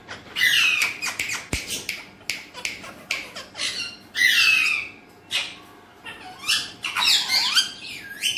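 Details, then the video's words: Alexandrine parakeet calling loudly indoors: rapid, grating squawks and chattering bursts following one another almost continuously, with one sharp click. "Alexandrine talking parrot"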